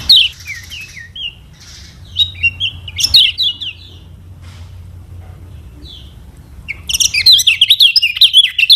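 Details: Lombok lemon-bellied white-eye singing a varied lure song meant to coax other birds into singing: sliding whistled notes and sweeping phrases, quiet gaps midway, then a dense, rapid twittering trill to finish.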